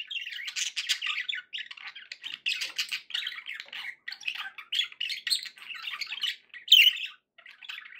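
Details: Pet budgerigars indoors singing a continuous, rapid warble of buzzy chirps, clicks and squeaky whistles, nearly unbroken throughout with one sharper high note late on.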